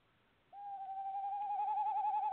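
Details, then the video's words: Tawny owl calling at a nest box on 25 February 2018: after half a second of quiet, one long steady hoot begins, holding level and growing into an even, quavering wobble toward the end, with no other sounds. "Tawny Owl nest box calling"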